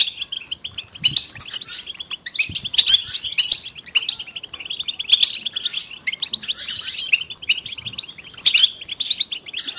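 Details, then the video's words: European goldfinches in a group song used to prompt silent males to sing, with waves of fast, tinkling twitter that swell and fade about every two seconds and are punctuated by sharp high notes. "بتبتة وستستة الحسون علاج صمت الحسون بتبتة حسون جماعية تساعد على التغريد"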